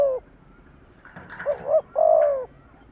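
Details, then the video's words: Decoy spotted dove calling to excite wild doves. A brief low coo, a soft rustle, then a doubled coo and a long falling coo. "Tiếng chim cu gáy kích bổi nhanh nổi"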